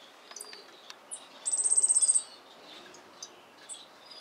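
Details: Yellow-faced grassquit singing as it spreads its wings: one high, insect-like trill of about a dozen rapid pulses lasting under a second, with soft scattered chirps before and after.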